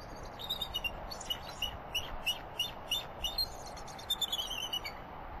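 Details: Female and male bald eagles calling together in alarm from their nest at Turtle Bay, Redding, California, as another bird flies over, possibly a turkey vulture or young bald eagle; thin, high, rapid chirping piping notes in uneven bursts, faint background hiss.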